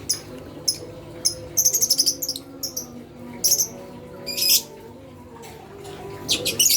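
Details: Lovebird chirping meant to stir other lovebirds, including young ones, into calling: rapid high chattering bursts and harsher buzzy notes, loud and irregular, with quieter single chirps between.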